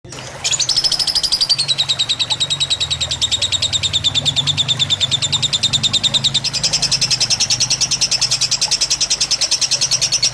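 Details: Fighter-style lovebird tutor recording with trickling water, meant to relax birds and teach long singing: after half a second of quiet, one long unbroken rapid chatter of high chirps, about seven per second, sliding down then up again.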